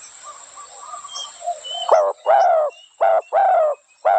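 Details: Spotted dove cooing: after a faint, quiet opening, a loud series of hoarse, throaty coos starts near the two-second mark. The notes are spaced with short gaps, each one low and slightly falling.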